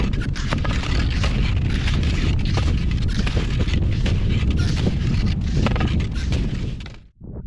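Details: At Carson Pass, loud wind roars across the microphone almost continuously and then cuts off abruptly near the end, with no animal voice audible.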